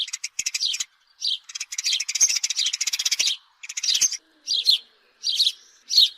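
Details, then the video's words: House sparrow chirps in lively clusters, a long dense chattering stretch of rapid notes followed by separate loud, sharp single chirps about every half second. "Sparrow bird call-صوت عصفور الدوري"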